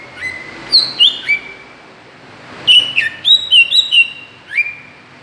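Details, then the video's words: Lure call of a greater green leafbird, used to provoke other birds: three whistled downslurs, a silent pause, then a quick cluster of bright wavering whistles and one final falling note. "suara pancingan cucak ijo"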